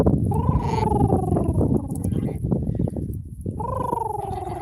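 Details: A pet adult domestic goose gives his deeper version of the contented gosling call made when tired or cuddling: two soft, drawn-out calls sliding gently downward, about three seconds apart, over low murmuring voices and handling noise.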